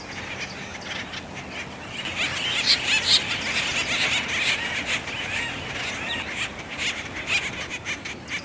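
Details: Acorn woodpeckers in mating season at Effie Yeaw Nature Center in 2025, causing a commotion among three trees; dense overlapping raspy calls and chatter crowd the middle of the clip, with a faint natural background. Recorded with a Sony FX3.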